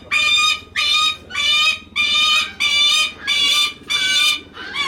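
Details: A captive lanner falcon at Kakegawa Kachoen, calling affectionately to its keeper, gives harsh, whining wails, about seven half-second calls in five seconds at a steady pace, over a faint low hum.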